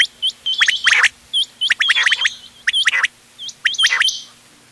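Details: Mixed quail calls, 31 October 2025, used for hunting. Sharp, high, hook-shaped whistled notes come in tight clusters, joined by short rasping bursts, in irregular bouts about once a second.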